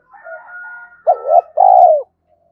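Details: Spotted dove cooing, used to stir up a decoy dove, in the 'thổ sấm' voice style: soft low hum, then two loud throaty coos, the last a long rolling note falling at the end.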